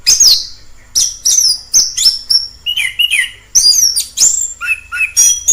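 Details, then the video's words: Singing orange-headed thrush in the wild: rapid series of high, sharp whistled notes and downward sweeps, some lower warbled phrases near the middle and end, steady energetic delivery. "Suara asli anis kembang di alam liar"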